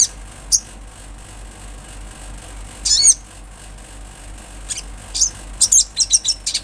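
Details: Olive-backed sunbird in full natural voice: a few isolated high chips, a thin descending slurred phrase, then a quickening series of sharp, high tsip notes at the end.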